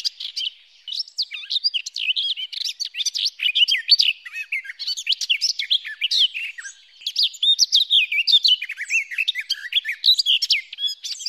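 Garden warbler singing a long, unbroken run of rapid, mellow, bubbling warbled notes, fairly high and even in pace, with no other sounds.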